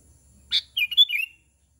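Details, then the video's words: Sooty-headed bulbul giving a calling phrase aimed at other bulbuls: a sharp click followed by a short bubbly, liquid run of warbled notes that dips at the end, in a quiet setting. "Suara KUTILANG panggilan kutilang gacor memanggil kutilang lain"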